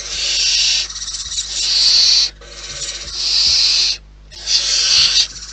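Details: Wild barn owls at the nest make long, grating, snore-like hisses lasting one to one and a half seconds, separated by brief pauses, with faint scratching in the background.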